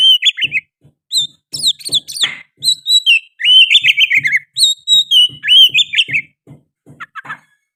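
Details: Oriental magpie-robin in full loud song that includes sooty-headed bulbul phrases. Rapid varied whistles and high warbled slurs run almost continuously, with descending sweeps and soft low knocking sounds in the background.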